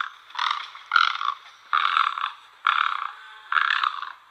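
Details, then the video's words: Great egret, also called white heron, giving harsh, grating croaks, each about half a second long, in a steady series of five roughly every 0.9 seconds, with no other sounds. "White heron call | Great egret"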